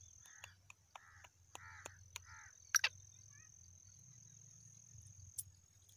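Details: Black francolin, a seven-month-old young bird: four harsh, buzzy syllables spaced about half a second apart, then sharp clicks and a few faint chirps over a steady high-pitched hiss and a low hum.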